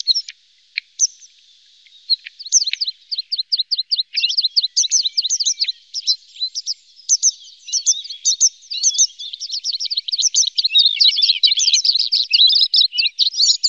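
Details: Red-spotted bluethroat from a pair feeding young in Norway: a high, rapid, varied warble. It opens with scattered chirps, builds into fast ticking and trilled notes, and grows denser and louder toward the end, with no background noise.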